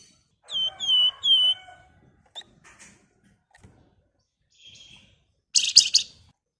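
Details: Javan fulvetta, known locally as flamboyan, used as a lure for flock birds: three bright downward-slurred whistles in quick succession, then faint ticks and a final harsh, noisy burst.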